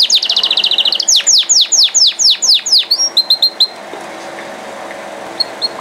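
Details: Canary singing: a rapid ringing trill, then a series of loud down-sweeping whistles, each about a third of a second apart, then brief chirps before near silence with two faint notes.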